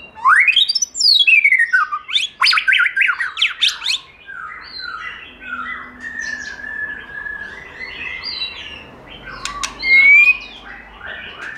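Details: Wild-style song, giọng rừng, of a white-rumped shama: fast upward-sweeping whistles and sharp notes open a long varied phrase of warbles and rasps, with a loud clear whistle near the end.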